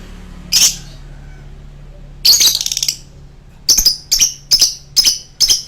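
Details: In a long choking song, a lovebird gives a single shrill note, then a scratchy rattling burst, then several loud, clipped chirps at a steady pace.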